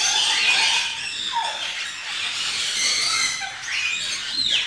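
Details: Lory feeding on dragon fruit, producing loud continuous squealing and squawking with several slurred downward and upward sweeps.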